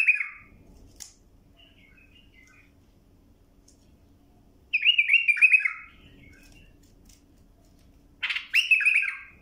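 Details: Bulbul singing, recorded for tutoring young birds: two separate bursts of rich, warbled whistled phrases about four seconds apart, with faint soft notes between and a low background hum.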